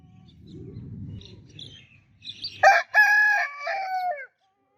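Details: Faint chirps and low rumble give way to one loud rooster crow, broken into short opening syllables and a long held tone that bends downward at its close.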